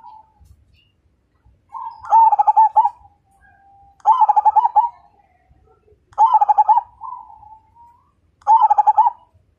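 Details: Zebra dove of the Majapahit line, a vigorous fighter whose voice draws other birds into song; four evenly spaced phrases, each a brief soft coo then a rapid run of rich, rolling coo notes.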